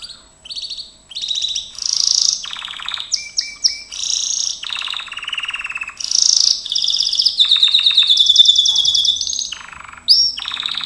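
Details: Gloster canary singing during training: a continuous high song of buzzy rolled trills, rapid chip series and bright whistled notes, switching phrases every second or so, with no other sounds.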